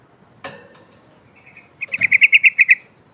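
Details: Yellow-vented bulbul, a lively singer flapping its wings, played to lure silent bulbuls into song: a single click, then a fast burst of about eight bright, bubbling notes in under a second.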